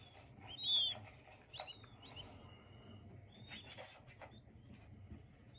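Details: Young king quail chicks: one clear high whistled peep early on, followed by fainter scattered peeps, light clicks and rustling over a low hum.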